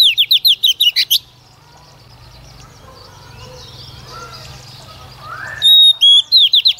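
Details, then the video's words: Female Oriental magpie-robin, a caged lure bird singing to stimulate males to sing: a rapid series of loud, rising-falling whistled notes for about a second, a quiet gap with faint distant chirps, then another burst of sharp whistles and trills. "Chòe Than Mái mồi hót cực hay kích trống mở mỏ"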